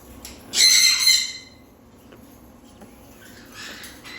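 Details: A parrot lets out one loud, grating squawk, then near silence broken only by soft faint scratchy sounds.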